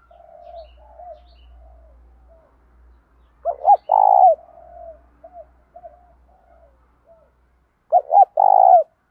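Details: Spotted doves, male and female, calling for training wild-caught birds; soft murmuring coos lead into two strong three-part phrases, each with short hooked notes and a long buzzy coo, a faint low hum beneath.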